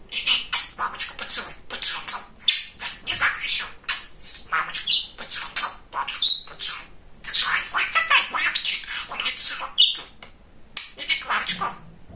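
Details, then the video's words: Chatty pet male budgerigar talking at length indoors: fast, nearly continuous stream of scratchy, speech-like syllables broken by short pauses, with a few sharp whistled notes mixed in. "Говорящий Волнистый Попугайчик"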